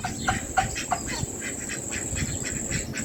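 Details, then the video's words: Lovebirds eating food on July 31, 2024 give quick, sharp chirps, three in the first second, then softer rapid twitters, over a steady high electrical whine and low background rumble. "Lovebirds chirping sounds"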